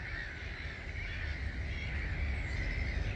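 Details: Some 250,000 starlings pour out of a roost at Gibraltar Point NNR at 05:45 on 21 March 2022. Thousands of voices merge into a continuous wheezy chatter that swells slightly, carried over a heavy low rumble.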